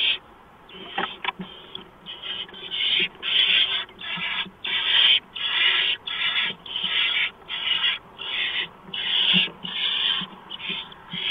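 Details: Barn owl nest, 6 March 2015 before dawn, as a mouse is delivered; a rapid run of about fourteen harsh hisses, nearly back to back, building into an almost continuous rasping series.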